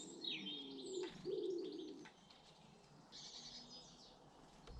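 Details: Garden birds in Britain: a pair of sustained low coos around the middle seconds, bright sweeping high whistles near the start, and a dense burst of high twittering later, over calm outdoor ambience.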